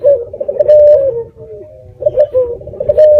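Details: Red-eyed dove lure recording meant to make other doves reply, recorded on the eve of Jumat Kliwon: two bursts of low, wavering, purring coos separated by a short quieter gap.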